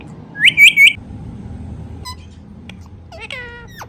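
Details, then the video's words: Indian ringneck parrot, a pet talking bird, making natural sounds: a burst of three sharp, high, ringing squawks, then a pause and a softer wavering nasal call near the end, in a quiet indoor setting. "Talking Parrot Making Natural Sounds"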